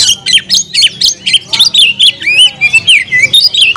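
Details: Caged oriental magpie-robin singing fast: crisp chirping notes around four per second, mixing sharp clicks with bent whistled slurs, loud and steady throughout.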